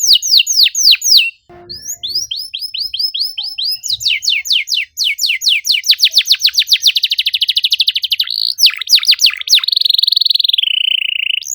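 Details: Canary singing varied phrases: repeated downslurred whistles, a brief gap, then a long accelerating trill ending in a steady buzzing rattle.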